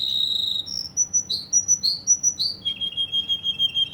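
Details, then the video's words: Russian canary from Kuwait singing: a buzzy sustained note, a run of repeated high whistled notes, then a rapid even trill of pulsed notes at one pitch. "Russian canary from Kuwait"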